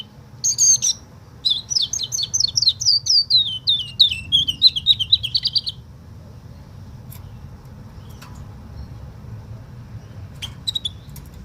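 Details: Canary imitating the song of a woodlark: a long, high series of liquid, whistled notes that steps gradually downward in pitch over about five seconds. A few faint clicks follow over a low background hum.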